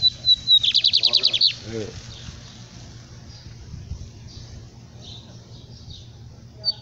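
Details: Lined seedeater delivering one song: short high whistles, then a quick run of about ten buzzy trilled notes. Brief low human sounds follow, and a soft hum continues.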